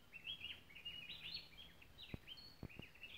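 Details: Gray-breasted wood wren in cloud forest at Kindred Spirit Cloud Forest, Tilarán mountain ridge, Costa Rica, singing a fast, rich run of clear whistled notes that slur up and down, with a few sharp clicks or knocks near the end.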